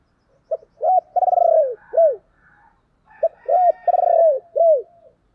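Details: Decoy spotted dove calling to draw in wild doves, two full phrases about three seconds apart, each a short note, an arched coo, a trembling drawn-out coo and a closing falling coo; mellow, low-pitched.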